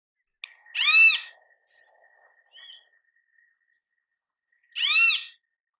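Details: Great kiskadee in natural habitat: two loud raspy nasal notes about four seconds apart, with a short softer note between them and a thin steady whistle-like hum running through the background.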